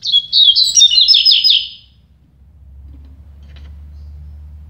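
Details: Double-collared seedeater song during a singing duel between two birds, a fast run of high, chattering notes for about one and a half seconds, followed by quiet low background hum.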